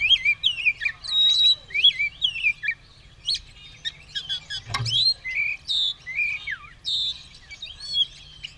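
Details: Oriental magpie-robin (kacer) ready to fight, spreading its tail and singing vigorously: rich, varied whistled phrases with rising and falling slurs and sharp chirps in quick bursts, with one loud click near the middle.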